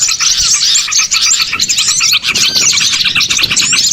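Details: Catching lure of a crowd of small birds: busy overlapping chirps and sharp tweets, with some short downslurred whistles, forming an unbroken bright chatter with slight pulsing in loudness.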